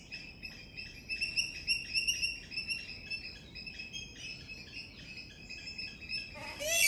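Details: Swamphen in Sri Lanka giving quick, thin, reedy notes repeated about three times a second, shifting into a looser chatter, with a brief rustle at the end.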